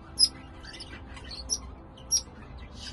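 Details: A rejected budgerigar fledgling begs its parents for food with three short, high chirps spaced about a second apart, a soft 'trip' sound, over a faint background hum, at night in November.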